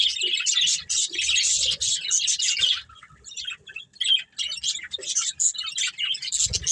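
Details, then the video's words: Budgerigars of a breeding pair warbling in quick high scratchy chirps, loud at first, then softer broken chatter. "Cute Budgies Chirping Sounds"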